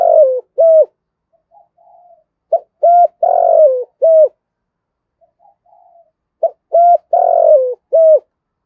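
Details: Spotted dove, male and female, cooing low and mellow, a call used to stimulate cage birds: two quick notes, a long drawn-out coo, then a short closing note, repeating about every four seconds with soft murmurs between.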